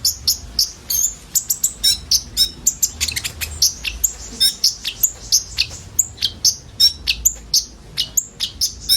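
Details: Common iora group delivering filled-in song as a lure for sunbirds: busy, overlapping high tweets and squeaky whistles, a continuous twittering stream with strong accents.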